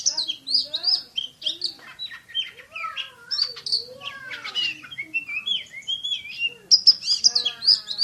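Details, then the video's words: Caged Oriental magpie-robin delivering rapid 'tembakan' shooting song: tightly packed whistles, sweeping slurs and harsh buzzy notes tumbling one after another at speed, with a few lower whistled sweeps mixed in. "KACER JUARA SUARA TEMBAKAN !!! BURUNG KACER NEMBAK SPEED RAPAT"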